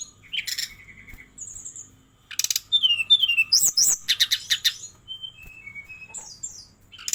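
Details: Brown-chested jungle flycatcher singing energetically in a rapid varied style, mixing sharp clicks, falling whistled slurs, dense crackling chatter and a descending string of short clear notes, ending in a high buzzy flourish.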